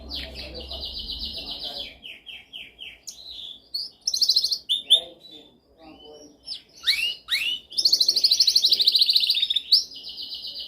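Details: Dominant canary song for training: varied phrases of fast rolled trills, short descending notes in series, buzzy high bursts and rising slurs, with a long rapid trill near the end; a brief low hum at the start.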